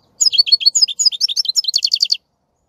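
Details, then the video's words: A singing European goldfinch pours out nearly two seconds of fast, varied high twitters and chirps, ending in a run of quick, evenly spaced buzzy notes. "Красивое пение щегла. Singing goldfinch."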